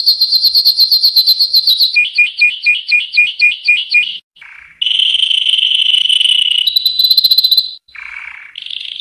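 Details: Song of a yellow canary, loud and close, running through varied tours: fast rolled trills, a pulsed two-tone rattle, short nasal notes, long steady whistles and a bright high trill, separated by brief pauses.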